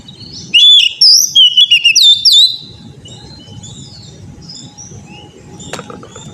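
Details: Oriental magpie-robin song for training untrained birds to sing: a two-second burst of bright, varied whistled notes with rising and falling slides, then faint distant chirps over low background noise.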